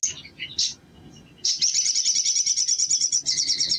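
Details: Male sunbird song used as a lure to make other birds sing. A few short chirps, then a long, buzzy, rapid trill held at a steady high pitch, with a human voice murmuring early on.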